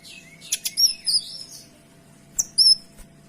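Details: Clear Kinoy song used as a tutor: quick high chips run into ringing whistled slurs, a pause, then a brief bright twittering phrase.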